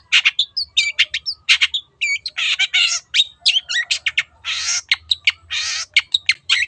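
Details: A long-tailed shrike (cendet) in energetic 'teot teot' song for luring other birds to sing: brisk chips interleaved with long, noisy rasping bursts and a few clear whistled notes.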